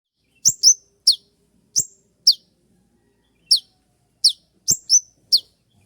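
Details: Spotted kolibri ninja (konin trotol) giving its sharp 'shot' song, used for training other songbirds: about ten separate high, quick downslurred chirps scattered over six seconds, each with a faint click, against silence.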